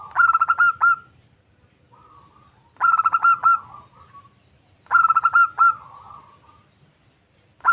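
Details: A female zebra dove calls a male, a call used for luring: three phrases of quick stuttering coos about two seconds apart, each with softer murmured coos after it, a fourth beginning at the end.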